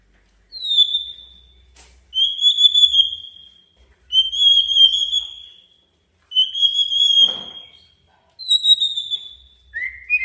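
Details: White-rumped shama challenge song to stir a rival: clear, high, slightly falling whistled notes repeated about every two seconds with short silences between, ending on a lower note.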